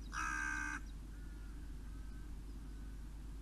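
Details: On a July morning a crow gives one loud, hoarse caw near the start, followed by steady low background rumble.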